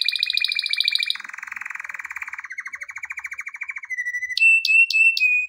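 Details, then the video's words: Male canary singing for training: fast rattling trills in changing tours, a harmonic-rich buzzy roll, lower rapid trills, a brief steady whistle, then sharp repeated high notes with downswept whistles. "کنری مست برای آموزش/کنری واتر/کناری نر#kenari / آواز خواندن کنری/قناری/کناری canary best"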